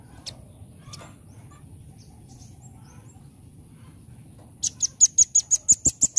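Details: After a quiet stretch with a few faint distant chirps, a velvet-fronted nuthatch breaks into a quick, even run of about ten high, sharp, ringing notes.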